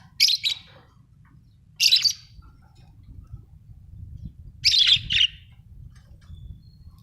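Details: Pet budgerigars kept at home give three short, harsh chirping bursts, spaced irregularly over several seconds, with a low steady hum underneath.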